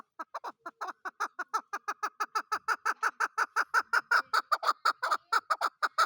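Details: Chukar partridge, a desi hunter chakor, giving a fast, loud run of harsh chuck-chuck notes, about three per second, evenly repeated and steady in pitch throughout.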